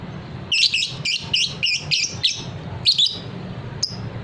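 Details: Fighter lovebird, kept by bird hobbyists for its long ngekek trill, delivers a quick run of about eight sharp, high chirps in two and a half seconds, then a final thin note, over low background hum.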